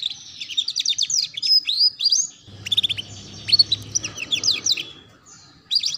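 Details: Young canary masteran song for learning ngeriwik: continuous high warbling with quick chirps and rising-falling whistles, then a pause and a final short burst.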